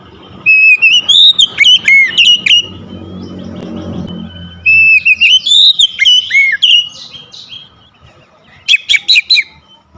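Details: A house-kept Oriental magpie-robin sings loud, varied whistled phrases with sharp chips and trills in three bursts over ten seconds, with a low rumble midway; the recording is meant to restart a caged bird that has stopped singing.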